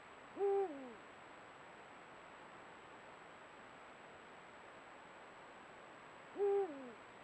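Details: Eurasian eagle-owl of a pair filmed by trail camera at sunset gives two short, deep hoots about six seconds apart, each rising briefly and then sliding down, against a faint background hiss.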